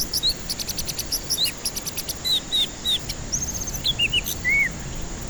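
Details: White-rumped shama song as a lure for birds that refuse to sing: a lively string of short downslurred and upslurred whistles, one sustained high note, then closing arched whistles, over a continuous pulsing high insect drone.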